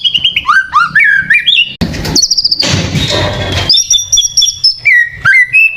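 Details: White-rumped shama singing a provoking lure song, with quick descending whistled notes, then a long harsh rasping stretch, followed by high clear whistles and sharp upslurs.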